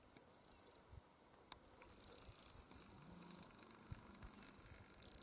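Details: Eurasian wren family near its nest, with several young birds that recently left the nest: high, hissing, buzzy bursts about half a second long, repeated at irregular intervals over a quiet background with faint low rustling.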